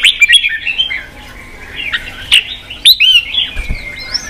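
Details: Red-whiskered bulbul voice played to provoke wild-caught birds to fight and to train their song; scattered bright chirps and whistles, then a long downslurred whistle near the end after a loud burst at three seconds.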